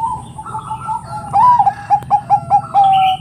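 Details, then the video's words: Zebra dove of the Bangkok type, a keen singer that stirs rival doves to answer. Soft introductory notes lead into a bending coo, four short beats and a sustained closing tone. "Suara PERKUTUT Bangkok Gacor NGEROT super BEKUR ini paling pintar membuat Kutut Lain BUNYI emosi"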